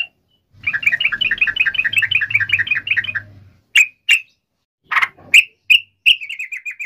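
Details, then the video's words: Sooty-headed bulbul singing gacor in the long ropel manner, played to coax other sooty-headed bulbuls into song: a rapid, even trill of bright chirps over a low hum, then scattered sharp notes and a quick descending chatter. "SUARA trucukan gacor ROPEL PANJANG pancingan trucukan agar bunyi"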